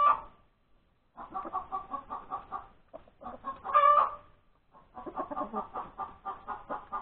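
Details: Breakfast-time cackle of a hen after laying an egg, Sunday, January 31, 2021. One squawk ends as the recording begins, then a run of clucks rises to a loud squawk before steady clucking resumes.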